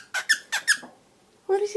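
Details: A seven-month-old aviary-raised grey cockatiel talking for the first time beyond its usual morning whistles gives four quick squeaky, chattering syllables like an attempt at words, then its owner speaks.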